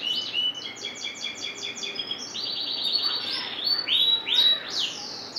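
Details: Singing canary with a rapid stuttering roll of repeated short notes, then longer rising whistles in varied phrases, fairly clear and close.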